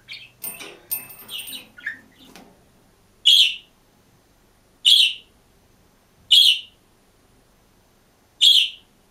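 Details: Green budgerigar singing and chirping alone in its cage: a brief burst of mixed warbled chirps and a clicky trill, then loud, sharp, high contact calls repeated about every one and a half seconds.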